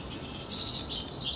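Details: House wren (Troglodytes aedon) song, a quick, bubbling run of high, jumbled chattering notes over soft hiss, 28 April; a pair preparing a nest box in spring, leaving twigs in several boxes as decoys near a chickadee pair's nest.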